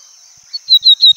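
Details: A lined seedeater (bigodinho) gives a brief burst of song while watching nature: three or four quick, high, slurred notes in under a second over a steady thin high hiss.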